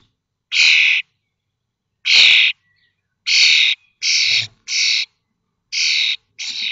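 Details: Common starling chicks, 21 days old, fledging from a nest box in Théding on 19 May 2024. Seven harsh, hissing bursts, each about half a second long, come at uneven intervals, with no other clear sounds between them.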